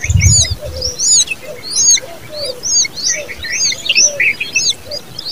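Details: Common babbler chicks begging: dense overlapping high chirps and down-slurred squeaks repeating through the clip, with soft low hooting notes beneath and a brief low thump at the start.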